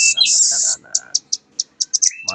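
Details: Young velvet-fronted nuthatch, a juvenile bird, singing: a long loud high buzzy run at the start, then a series of short sharp high chips repeated about every quarter second, ending with a thin rising whistle; a man talks over it.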